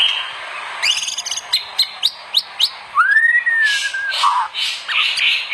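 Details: White-rumped shama, a lively singing bird kept for training other shamas, gives a rising slurred whistle after a run of sharp clicking notes, followed by bright scratchy phrases.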